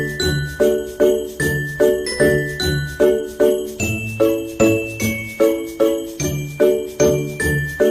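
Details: Jingling sleigh bells and chiming tones beat in a steady, repeating rhythm, with a bright melody on top and no animal sound.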